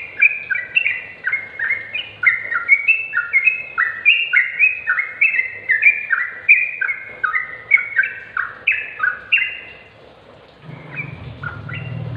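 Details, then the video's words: Sooty-headed bulbul song, played as a recording to train other caged bulbuls to sing; bubbly, clear two-note phrases stepping down and up, repeated steadily for ten seconds, then a low rumbling noise at the end. "Masteran trucuk agar cepat gacor trucuk malas bunyi jadi ikut gacor"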